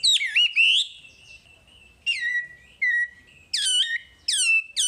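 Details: Full masteran material from a wambi: ringing, descending slurred whistles separated by pauses of about a second, with a soft sustained whistle tone between phrases.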